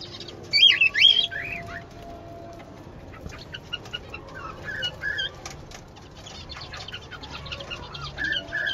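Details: A zebra finch (Taeniopygia guttata) colony calls, with a loud wavering nasal call and many short chirps.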